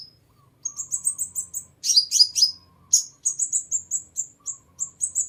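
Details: Sunbird song used to lure birds: rapid series of thin, very high chips repeated several times a second, interrupted by a brief cluster of louder descending notes, then resuming the quick chipping.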